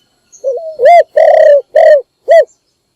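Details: A single morning coo phrase from a decoy spotted dove calling other doves: a low rising lead note, then a clear coo, a long rough coo, another coo and a final short one.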